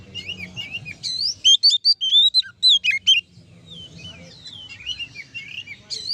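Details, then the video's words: Singing oriental magpie-robin, its loud song meant to set other magpie-robins singing: soft warbling, then a fast series of loud, piercing whistled notes, followed by quieter twittering over a low hum. "suara kacer ngeplong untuk memancing kacer laen emosi dan gacor"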